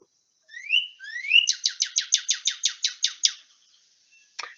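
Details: A Northern Cardinal, heard in New England in early spring (March), sings two rising slurred whistles, then a fast run of about ten clear downslurred notes, roughly six per second; one sharp chip follows.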